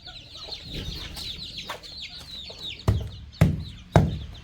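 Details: Baby chicks and young chickens on a farm pecking at fresh termites: a steady stream of high, thin cheeping peeps, then three sharp pecking knocks near the end.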